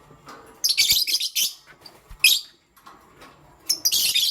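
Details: Lovebirds, pastel gray and green, chirping in the morning indoors: rapid, harsh high chirps in thick clusters, a lone sharp note, then another dense chattering burst.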